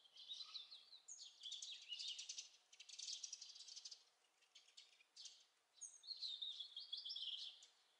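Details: A European robin at Lipka, Wielkopolska, on 11 November 2014 gives quiet, high, scratchy warbles and thin trills. The bursts are short and separated by brief pauses, with a faint background hiss.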